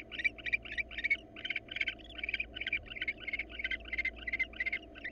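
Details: Female wild barn owl in mating posture inviting an uninterested male, before the pair begins breeding in hot weather; loud, rapid series of short, bright chirruping notes, roughly three per second, evenly pulsed throughout, with low background hum.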